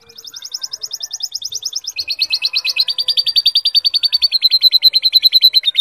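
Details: Canary in full song, with lovebird phrases in its repertoire, used as a tutor recording for young canaries. A fast, even trill of repeated notes, then a jump to a lower, louder trill that keeps rolling steadily.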